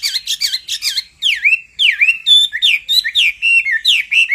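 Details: A male hwamei, stirred by a calling female, pours out a fast series of rolling, down-slurred whistles, several each second, loud and clear in a quiet setting.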